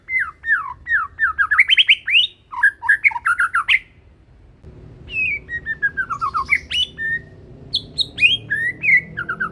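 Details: Young, ringed white-rumped shama of the Medan type singing vigorously: a fast stream of looping whistles and sharp chips, a short break, then further whistled phrases over faint background hum.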